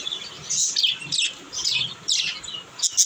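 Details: Baby budgerigars, kept as pets, chirping happily: bright, high warbling twitters in quick overlapping bursts, several per second, over a soft low rumble.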